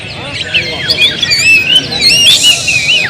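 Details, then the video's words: Oriental magpie-robin, a household bird, sings sweet warbling whistles with rising and falling slurs, building to a brighter, louder phrase toward the end over gentle background hum. "suara kicau burung Kacer"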